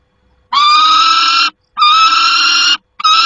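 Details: Harsh, rasping screams from a peregrine falcon at its nest on 28 August 2021, two long steady cries about a second each, a third starting at the end, with short quiet gaps.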